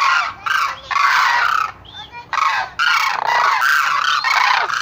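Loud, harsh trumpeting calls from a Sarus crane in long overlapping bursts, brassy and rolling, with brief pauses between phrases.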